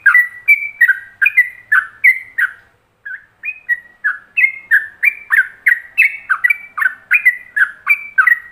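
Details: Ropelan-style master song of a yellow-vented bulbul for other bulbuls to copy: a fast, steady stream of bright, bubbling whistled notes, about three per second, broken by one short gap before resuming livelier.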